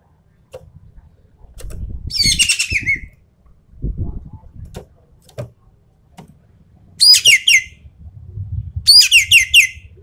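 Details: Javan pied starling delivering 'full tembakan' rapid-fire song to test champion birds: three scratchy chattering bursts at irregular gaps, over low rumbling background noise and soft thumps.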